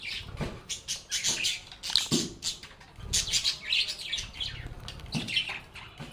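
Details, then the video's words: Agapornis lovebirds chattering while playing: continuous pulsing bursts of harsh high chirps and squeaks from several birds, with soft low thuds and rustles between the phrases. "Lovebirds agapornis sounds | Relaxing Sounds of Singing, Playing, and Talking Parakeets"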